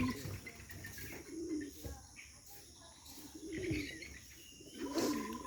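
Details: Domestic pigeons, Bombay pigeons among them, being released from their loft, give deep, throaty coos in short rolling bursts about every two seconds.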